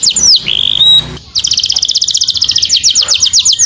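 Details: Saffron finch calling its companion: a falling whistle and a steady held tone, then a long rapid run of high, evenly spaced short notes.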